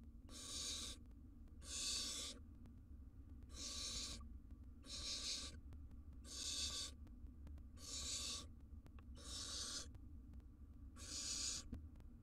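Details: Barn owls, wild, at a nest box during a family feeding when the male arrives with a big jird. Eight rough, breathy hissing bursts of about a second each, steadily repeated over a low rumbling background.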